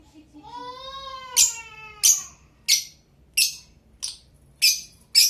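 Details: Blue Fischer's lovebird: after a long, wavering, voice-like wail, a series of sharp, shrill chirps follows at a steady pace, about one every two-thirds of a second, six or seven notes.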